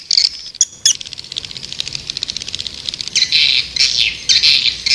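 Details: Swiftlet lure calls meant to draw birds: a buzzy high chatter of fast clicks, then longer hissing, trilled bursts repeated about every half second near the end.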